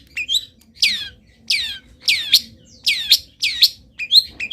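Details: Singing long-tailed shrike in moult, its song filled with copied wild-bird calls: a string of loud, sharply falling whistles, each followed by a quick high chip, repeated roughly twice a second.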